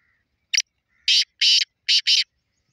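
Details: Black francolin recorded on 30 March 2024: a short harsh note, then after a pause four loud, grating, rasping notes in quick succession, the last two nearly joined. The background is otherwise quiet.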